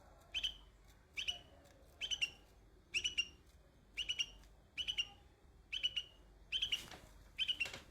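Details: Baby bulbul sitting on white flowers repeats short, sharp chirp pairs and triplets at a steady pace, roughly every second, with a faint rustle near the end.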